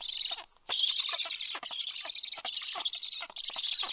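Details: Black storks at Karula, Estonia, 23 August 2022, as an adult arrives with large fish to feed: a dense, high, wheezy chatter running almost without a break, cut by quick downward rasping strokes several times a second.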